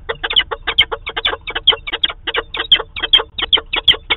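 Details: Loud rapid cackling from a Peregrine falcon pair meeting at the nest site in Manchester, NH, 2 September 2018, via live camera: harsh notes tumbling out about four per second without pause.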